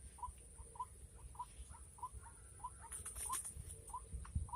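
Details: White-breasted waterhen during a trapping lure in the rainy season, giving evenly spaced, clipped croaking notes about twice a second, with a brief burst of clattering noise midway and steady low hum.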